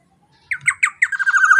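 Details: Black-naped oriole calling loudly as a lure for other orioles: four separate sharp harsh notes at roughly half-second spacing, then quickening into a fast stuttering buzzy rattle that ends abruptly.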